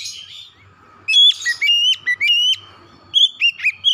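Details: Kacer, or Oriental magpie-robin, singing for a lure recording meant to get a quiet home bird singing: a scratchy opening, then strong ringing whistles stepping down in pitch, followed by quick chirpy upslurred notes.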